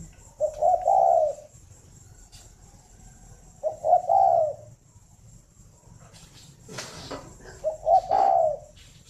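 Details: {'caption': 'Breeding spotted dove kept at a dove farm in Vân Hòa commune, Ba Vì, Hanoi, singing in the morning. Three soft, hollow coo phrases come about three to four seconds apart, each with short notes leading into a drawn-out final coo. A brief rattling noise is also heard.'}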